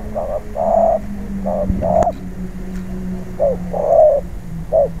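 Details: Spotted dove taken from the wild and trained for ground-decoy trapping sings loud mellow coos, short notes leading into longer warbling ones, with a brief sharp click and steady low hum.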